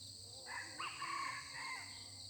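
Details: Distant red junglefowl crow heard during decoy hunting, when the wild birds are not yet aggressive and only greet a new decoy rooster. The crow is faint and drawn out, with a rising start and a long level middle, set against dense insect buzzing.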